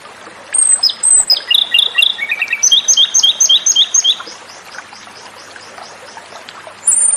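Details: Japanese robin singing over steady background hiss: high thin whistles, a quick run of descending notes, then a rapid rattling trill of repeated two-part notes, ending with another sharp high whistle.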